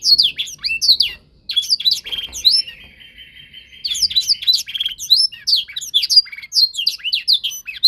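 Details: Young canary during song training, meant to mimic tutor birds. It pours out fast high chirping warbles, pauses briefly, then holds a steady even rolling trill for over a second before the rapid twittering resumes.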